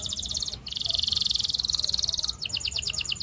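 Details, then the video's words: A singing canary gives a high pulsed trill, then a sustained buzzing roll of very fast notes, then a slower trill of sharp separate notes. "All Canaries Will Join in Singing When They Hear This Canary's Chirp"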